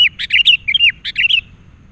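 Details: Agitated sooty-headed bulbul, a wild bird reacting to a decoy during trapping, delivers two quick groups of loud, rich, warbling whistles with slurred, tumbling notes, about ten notes in under two seconds.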